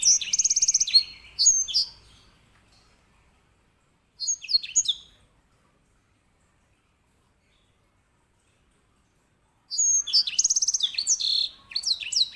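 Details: Grey singing finch (edel sanger), a canary master bird: three separate bursts of high, rapid trills and descending whistles, spaced by long silent gaps of several seconds.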